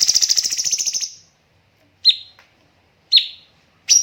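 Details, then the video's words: Cucak cungkok song used as a master recording for training birds: a fast rattling buzzy burst of about a second, then short sharp notes repeated roughly once a second. "BURUNG CUNGKOK MASTER SEMPURNA JEDA & RAPAT TEMBAKAN"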